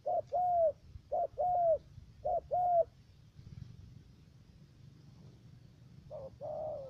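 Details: Decoy spotted dove used for trapping in U Minh, Khanh Hoa commune, Ca Mau, Vietnam; a three-note bird. Three two-part coos, each a short low note then a longer arched note, followed by a pause and a fourth coo against a faint background hum.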